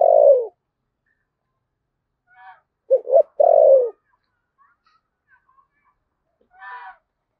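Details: Spotted dove from Đồng Nai, Vietnam, in 'thổ sấm' voice, 'thúc gù' style. The tail of a long falling coo is followed by one full phrase of two clipped coos and a lengthy descending note. Faint soft sounds are in the background.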